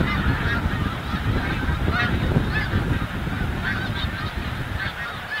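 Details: At Montmagny, the capital of the Snow Goose, migrating snow geese honk continuously in a thick overlapping chorus, partly covered by heavy low rumbling from wind.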